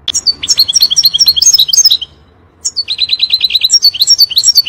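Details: Goldfinch pouring out the intense 'fire' song meant to teach young birds, with dense liquid twittering, a brief pause, then a rapid series of repeated notes merging back into varied chatter.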